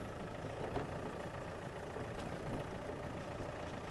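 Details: A vehicle engine idles with a steady low rumble throughout, with no animal calls heard.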